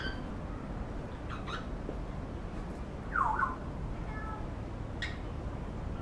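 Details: A grey parrot (Psittacus erithacus) at an aviary in Kowloon Park, Hong Kong, gives one short, wavering, mewing whistle midway through, over a steady low rumble of background noise with a few faint clicks.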